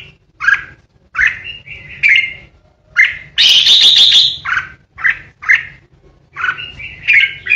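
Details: Decoy red-whiskered bulbul in a cage, its 'ché' song aimed at rivals: a string of clipped whistled chirps about every half second, broken by one long grating, buzzy burst mid-way, faint low hum throughout.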